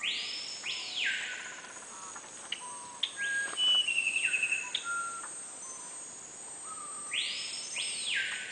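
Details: Musician wren (Cyphorhinus arada), song.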